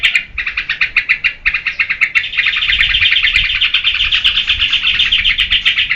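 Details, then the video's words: Yellow-vented bulbul (trucukan) song for luring and training cage birds: rapid chattering bubbly notes, about four per second, dense and continuous at mid-high pitch, rising slightly in the second half. "SUARA TRUCUKAN GACOR UNTUK PANCINGAN DAN MASTERAN"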